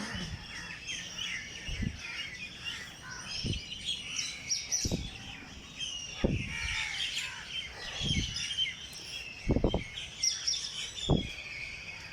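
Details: Birds singing early in the morning in Jilani Park, Lahore: a dense, continuous chorus of high chirps and twittering from many birds, with dull low thumps recurring roughly every one and a half seconds.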